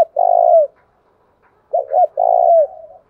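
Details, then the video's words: Cooing of a spotted dove used to provoke rival males: a long low coo with a falling tail, a pause, then two short notes and another drawn-out coo. "tiếng cu gáy kích bổi mới nhất"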